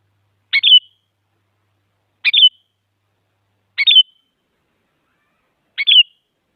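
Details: Sooty-headed bulbul, a female calling a male, used to stimulate silent bulbuls into singing. Four short, clear, slurred chirping phrases, each a quick double note, come roughly every one and a half to two seconds against a silent background.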